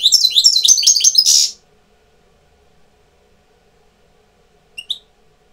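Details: European goldfinch tutor bird entering breeding condition indoors: a loud, rapid, jingling twittered phrase of bright high notes lasting about a second and a half, followed by silence and two soft chirps.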